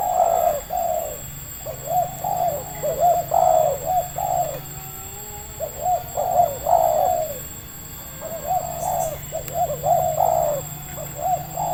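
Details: Indonesian local spotted dove of medium voice, calling during trapping with a decoy. Hollow, rounded coos fall in bunches separated by brief lulls, some notes overlapping, with a low hum and a faint high tone behind.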